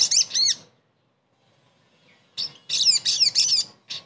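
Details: Sogon song as a therapy sound for a silent bird: two quick high zigzag notes, a pause of nearly two seconds, then a rapid run of harsh, chattering high notes.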